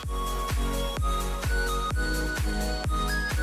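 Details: Electronic dance music with a steady four-on-the-floor kick and sustained synth tones; no animal sounds.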